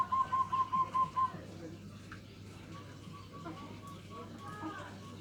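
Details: Local zebra dove singing in the nutut style, used as a lure to provoke rival birds: a quick run of about six soft, evenly spaced cooing pulses over just over a second, followed by quiet background hum and faint chirps.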